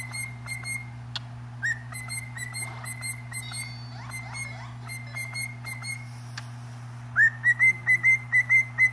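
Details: A cockatiel sings a run of brief, bright whistles, some with an upward slide, spaced evenly at about two per second. The run gets louder and faster near the end, with a constant low hum underneath.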